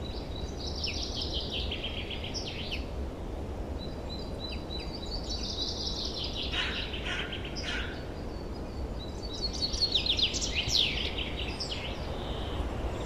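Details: Forest birds singing in spring 2023: high, bright twittering phrases that rise and fall, several bursts over thirteen seconds with a steady low rumble of background noise beneath.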